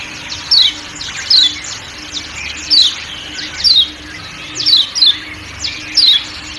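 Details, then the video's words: Kecial kuning, the Lombok white-eye, with forest ambience: bright, quick downslurred 'ciak' notes, single or paired, spaced roughly a second apart, set against a constant high-pitched buzzing background of insects. "Kecial Kuning Ciak Ciak Dan Suara Hutan, 100% Kecial Kuning Langsung Nyaut"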